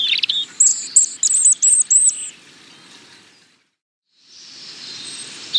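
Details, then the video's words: European robin giving a short burst of high, sweet warbling and a run of repeated thin whistled notes, then silence followed by a soft wash of hissing background noise. "European Robin - Songs"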